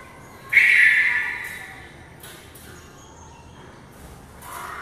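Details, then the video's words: Red-vented bulbul flying around inside a house: one loud, harsh chirp that rings and fades in the room, followed by faint softer notes and a short rising sound at the end. "Flying bird inside house | Redvented Bulbul"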